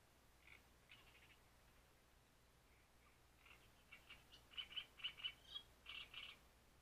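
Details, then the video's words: Great reed warbler at Grachevka: scattered harsh chattering notes, a short pause, then a loud rhythmic series of grating, croaking syllables repeated in quick groups, over a quiet background. "Камышовка Дроздовидная"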